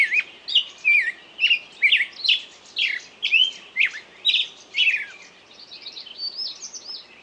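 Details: Loud chirping song of repeated whistled notes at about two per second, giving way to a quieter, thin high twitter at the end.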